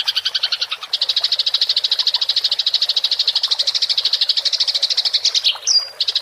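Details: Rolling fighting chatter of a house sparrow, used to train songbirds: a fast, almost buzzing stream of high chirps, broken near the end by a short whistled note.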